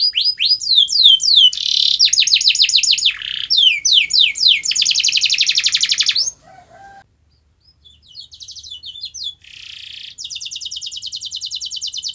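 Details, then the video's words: A canary sings a long sequence meant to get a lazy canary singing: fast series of downslurred notes, rich buzzy rolls, a brief faint break with soft low notes, then a steady rapid high trill. "Kenari Anda MALAS BUNYI, Coba Putar Video Ini !!!"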